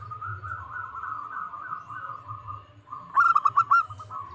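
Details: A local zebra dove (perkutut), used as a lure call to provoke rivals into answering, gives a soft rolling low coo for about three seconds, then four or five louder clipped coos in quick succession.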